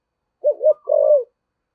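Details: Spotted dove kept as a decoy bird, singing in the 'giọng thổ' style: two quick looping coos followed by one longer, drawn-out coo that falls slightly at the end, with nothing else heard.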